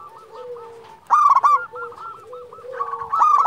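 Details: Local zebra dove, a champion frequent caller, sings a quick run of short clipped cooing notes near the same pitch, broken by a louder burst of harsher harmonic notes, with a low sustained tone underneath.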